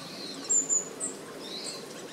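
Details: Long-tailed tit (Aegithalos caudatus) in a flock moving through trees and coming to drink, with Japanese tits nearby, 8 December 2012, giving two very high, thin, quick notes about a quarter-second apart, then fainter high calls over soft hiss.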